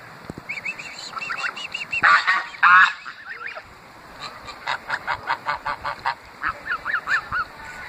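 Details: Greylag geese surrounding a person beside the Thames at Iffley Lock, Oxford, England, give harsh, nasal honks: a couple of loud blaring bursts, then a quick run of about a dozen shorter honks, several per second.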